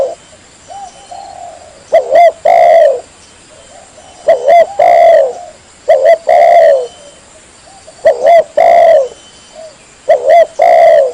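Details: Spotted dove, known locally as tekukur kampung or anduhur, recorded for use as a lure to draw other doves, male or female, into calling: low cooing phrases of about three notes, the last one long and drawn out, repeated every two to three seconds.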